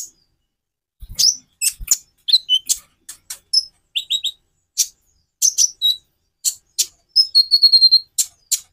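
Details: Konin singing a varied song of high chips, short whistles and buzzy notes in quick succession, ending with a brief rapid trill.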